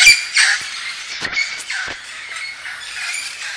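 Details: Noisy parrots outdoors at Point Loma in the morning, making a racket: loud harsh squawks burst at the start, then continuous overlapping screechy chatter from several birds throughout.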